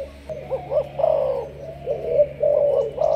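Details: Malaysian spotted dove, a captive decoy with 'sấm thổ' voice style, delivers loud, close, low coos: short doubled notes, then longer drawn-out hollow ones with a slight rise and fall.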